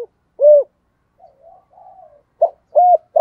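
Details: Decoy spotted dove singing in the thổ voice style to attract other doves: one full arched coo, a soft rambling murmur, then a clipped note, another arched coo and the start of a longer coo.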